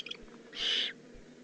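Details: Juvenile Eurasian eagle-owl in the Eifel, Germany, recorded 18 June 2016, giving a single harsh, hissing rasp lasting under half a second, rising out of a quiet background with low hum.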